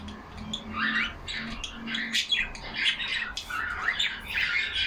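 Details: Pet budgies in a cage chatter together with raspy, squawking warbles and sweeping chirps, several birds overlapping, a low hum faintly underneath.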